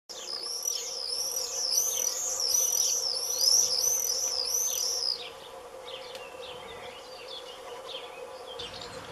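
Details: Common swifts flying in at Dannenberg on the Elbe, Germany, on 5 June 2022: shrill, rapid screaming trills, many notes per second, loud for about five seconds and then fading to distant screams over a steady low hum.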